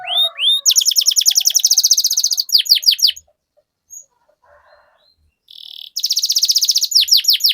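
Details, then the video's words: Canary song used as a lure to get other canaries singing and rolling: fast, high rolled trills, then sharply descending swept notes, a quiet gap with faint soft notes, and the rapid roll resumes. "Suara Pancingan Burung Kenari Agar Cepat Gacor dan Ngerol, Masteran Suara Kenari Ngeroll Panjang"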